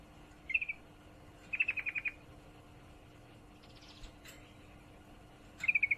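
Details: In-heat female sooty-headed bulbul summoning a male with short stuttered bursts of bright pulsed notes, one brief, one longer run of seven, then another at the end; faint buzzy rattle and a click between.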